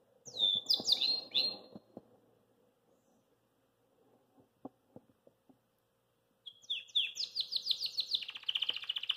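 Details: Belgian canary after eating kale, out of its cage in a small room: a brief burst of high chirps, a quiet stretch with clicks and low murmuring noise, then rapid repeated high notes running into a buzzy trill.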